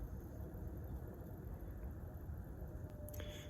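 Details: Low rumbling background noise with a few brief clicks near the end, no animal calls.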